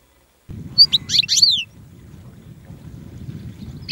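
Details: European goldfinch (Carduelis carduelis), a small, colourful, partly migratory finch listed as threatened in France: one short burst of quick, slurred, high tinkling notes, then low background rumble.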